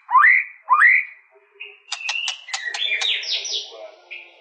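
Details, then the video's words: White-rumped shama giving two loud rising whistles, then a run of sharp clicking notes and a buzzy, warbled phrase. "Suara burung murai batu"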